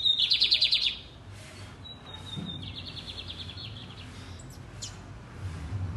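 A lined seedeater opens with a loud, rapid, high trill, then gives a thin whistled note and a softer run of buzzy chips.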